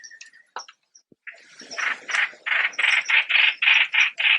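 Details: Streak-eared bulbul: a few faint scattered chips, then a run of loud, rasping, buzzy notes that grow stronger and repeat about three times a second.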